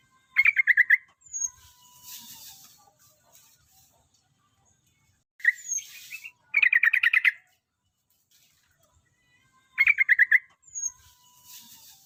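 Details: A Javan pied starling, billed as a future champion, delivers rapid chattering rattles of sharp notes in three separate bursts. A thin high whistle comes between them, over intermittent background hiss.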